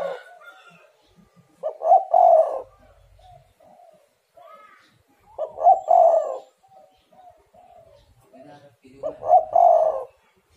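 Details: Spotted dove (tekukur) coo used as a lure so reluctant doves start calling: three rolling phrases about every 3.5 seconds, short notes building into a longer throaty coo, with faint whistles of other birds between.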